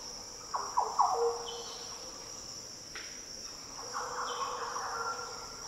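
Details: Green orioles in the Daintree rainforest of tropical northern Australia: two deep, liquid, fluty song phrases, the first rich and warbled, the second longer and smoother, over a steady high insect drone.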